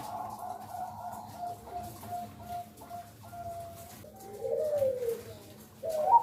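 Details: Female zebra dove calling to lure males to sing: a steady low hum gives way to a burst of soft, bubbling coos rising and falling near the end, with a faint constant tone underneath.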